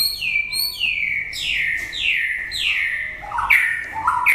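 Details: Loud white-rumped shama song at the end of the breeding season: a series of strong downward-sweeping whistles roughly every half second, ending in shorter rising and clipped notes.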